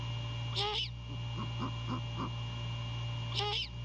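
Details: Great horned owls courting at the nest at night in January 2022: two short shrill squeals framing a few faint, quick soft notes, over continuous low hum.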